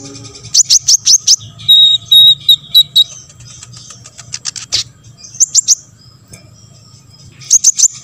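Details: Olive-backed sunbird song meant to stir other sunbirds into answering: rapid bursts of four or five very high, sharp ticking notes, a steady thin buzzy trill in between, then more quick ticking bursts, with a low background hum.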